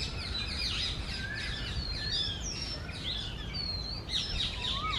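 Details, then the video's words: Male and female Oriental magpie-robins singing on an early summer morning in breeding season; dense run of sweet whistles, rising and falling slurs and trills, with heavy constant background hiss. "MAGPIE ROBIN Singing Sound"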